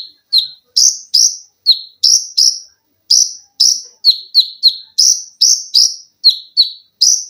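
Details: Olive-backed sunbird (konin) cage bird in full rapid song, 'mesin jahit' style: clusters of quick, piercing high notes with brief gaps, alternating drooping chips and brighter arched notes.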